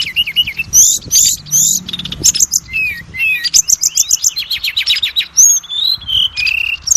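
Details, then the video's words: Oriental magpie-robin (kacer) lure song played to make other kacer sing and raise their mettle: dense, jumbled mix of high whistles, rapid chips and falling slurred notes, continuous and varied throughout. "SUARA PANCINGAN BURUNG KACER AGAR CEPAT BUNYI DAN GACOR"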